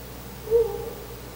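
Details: Male Ural owl at a nest site before dawn, 4 August 2020, hooting by a window: one soft, low, slightly drawn-out hoot against a constant background hiss.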